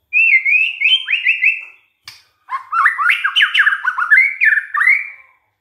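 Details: White-rumped shama singing as a lure to get other shamas going: a sustained whistled note with swooping inflections, a short click, then a long, varied run of rich warbled and whistled notes.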